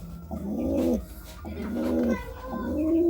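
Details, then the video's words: Courting pigeon cooing: three low, rounded coo phrases, each swelling then dropping slightly at the end, spaced about a second apart, with a faint steady background hum. "Suara Burung Merpati merayu"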